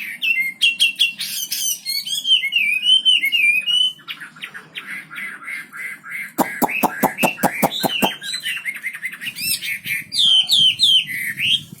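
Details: Wambi bird singing vigorously: a varied run of chirps, slurred whistles and twittered phrases, broken by a burst of about ten loud, sharp clicking notes in quick succession, then more high, warbled phrases; a low hum underneath.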